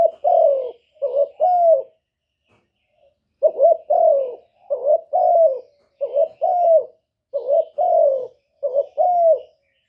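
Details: Spotted dove cooing as a trapping lure for wild doves: repeated husky phrases of short stuttered notes and a longer falling hoot, with a brief pause before the calling resumes steadily.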